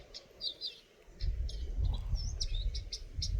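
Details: Eurasian nuthatch chirps: bright, slurred high notes in twos and threes, rising and falling, while a steady low rumble of wind or traffic builds after the first second.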